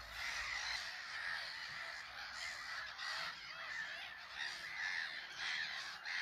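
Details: Eurasian oystercatcher at Lea Farm Lake on a sunny but crisp day, in an altercation with a moorhen, gives a dense stream of loud, shrill, hurried piping notes that sound like several overlapping voices.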